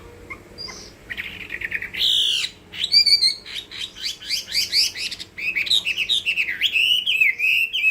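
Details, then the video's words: Chinese hwamei giving its fighting song (hót đấu): after a faint start, loud varied phrases of rapid whistled notes and sweeps, some squeaky and high, in quick bursts with brief pauses. "Họa mi hót đấu hay"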